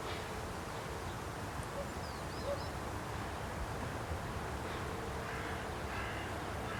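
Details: A hoarse caw or two from a Carrion crow on a post in Aranoltza, Zamudio, Bizkaia, in 2020. The call is heard late in the recording, with a constant low background hum.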